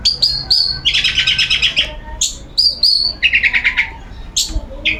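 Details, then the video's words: Caged long-tailed shrike set out in the sun as part of its routine, singing loudly and nonstop in the open ngeplong style: high whistled notes alternate with rapid, buzzy, chattering bursts, repeated several times. "Burung Cendet ngeplong⁉️Gak mau Diam"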